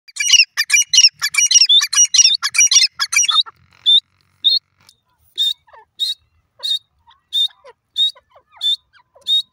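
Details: Grey francolin (teetar) calling: a rapid burst of high, scratchy chirping notes for about three seconds, then single sharp, high notes repeated roughly every 0.7 seconds, with a few faint lower squeaks between them.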